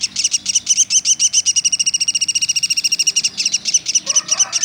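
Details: Woodpecker known locally as pelatuk sampit repeating quick, piercing chip notes in a fast, steady stream; a lower, warbling sound enters briefly near the end.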